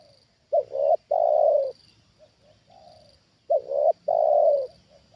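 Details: Trained spotted dove used for luring wild birds, reacting to one that comes down a second time: two bold coo phrases of a brief note and a long coo, with soft low-volume coos in the gap and a high hum behind.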